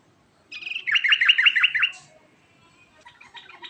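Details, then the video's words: Trucukan (sooty-headed bulbul) giving a ngerol song: a series of warbling notes, each sliding downward, repeated quickly for about one and a half seconds, then softer scattered chatter over a faint background. "Kicauan Trucukan Ngerol"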